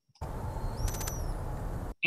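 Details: A volcano hummingbird in Costa Rica dives: a thin, high vocal whistle (ooh-wee-oo) that rises then levels, broken midway by three quick buzzy pulses made by the tapered tip of tail feather R2, over low rumbling background noise.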